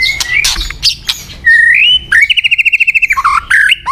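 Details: Song of a white-rumped shama: a long rising whistle sweeps upward, followed by a fast even trill of about fifteen rising notes and a final looping phrase, after noisy rasps at the start.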